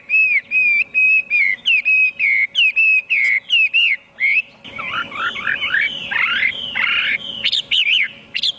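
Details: Hwamei song with a steady chain of long level whistles, then halfway through a burst of twisting, buzzy, scratchy phrases over a noisier background.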